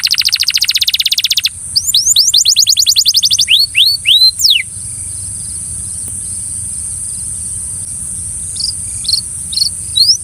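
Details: Belgian canary singing to encourage another canary to sing: a very fast rattling trill, then slower looping swept notes for about four seconds, followed by near silence with a few faint chirps and a steady high hiss.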